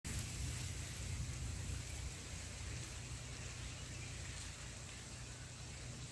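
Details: Steady rain hissing evenly across all pitches with a low rumble underneath; no animal calls.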